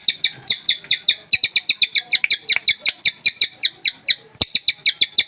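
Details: Sultan tit, newly obtained and kept caged, in full song at once: rapid, evenly spaced high chirps repeated several times a second with a ringing, layered tone and occasional clicking noises.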